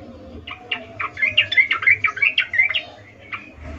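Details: A female sooty-headed bulbul giving its mating call to attract a male: a loose series of short bubbling, slightly squeaky notes that grow louder and quicker in the middle, then trail off to a few scattered notes, over a low background hum.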